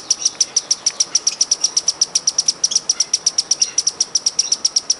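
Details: Wild hummingbird giving a steady stream of very high, thin chips, about five per second for the whole stretch, each note sharp and evenly spaced, over a soft background hiss.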